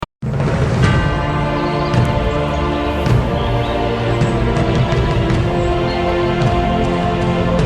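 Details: Loud, dense music plays throughout with sustained tones and low booms, and no animal voice can be picked out.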